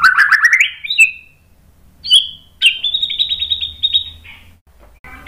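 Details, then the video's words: White-rumped shama song played to provoke other shamas to sing: a rising run of quick notes, a few sharp whistles, then a long even high trill fading at the end. "MASTERAN MURAI BATU memancing EMOSI jadi NYAUT GACOR BONGKAR MATERI TEMBAKAN | PANCINGAN MURAI"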